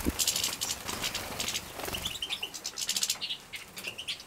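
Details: Hand-reared European goldfinch young in Poland, 2017, during a feed: quick, high, tinny chirps and twitters over rustling and tapping, with a few soft knocks at the start.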